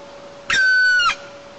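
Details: At 4:45 a.m. on 20 August 2022 in the Almetyevsk region of Tatarstan, Russia, a red-crowned woodpecker at its nest gives one flat, nasal, slightly squealing call about half a second long, over a faint steady hum.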